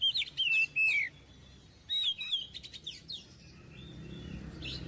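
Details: Oriental magpie-robin singing, offered as a master song for young birds: clear whistled phrases dropping in pitch, short buzzy clicks and high trills, then fading into quiet background with faint distant notes.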